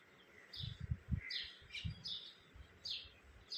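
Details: Pet parakeets (mitthu) come and call when hungry, giving short, high, chirping calls that slur downward, about one every half second, over low thumps and steady background noise.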